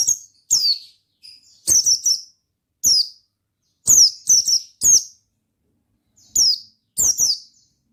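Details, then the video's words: Oriental white-eye giving 'ngalas' song: a brisk series of shrill, downward-sweeping chirps, mostly paired or in triplets. Nearly a dozen bursts follow in steady succession over quiet surroundings. "Suara Bikin Pleci Gacor Ngalas Dengan Burung Pleci Gacor NGALAS INI"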